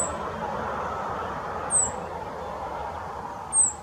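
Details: Male rock bunting holding a grasshopper in the Moselle valley near Valwig, Germany: two thin, very high, short descending 'zip' notes about two seconds apart over steady low rumbling background noise.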